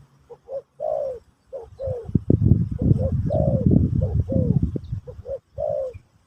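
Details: Terkukur (spotted dove) giving Pesom/Kacuk-style song for training a new bird: repeated low mellow coos in short bursts, partly masked mid-sequence by loud rumbling handling noise.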